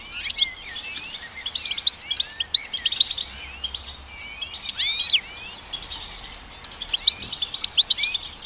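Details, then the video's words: Goldfinch singing a bright, tinkling twitter of quick chirps and sweeping slurred notes. A denser, more excited flourish comes near the middle, then the bursts resume. "Goldfinch Song"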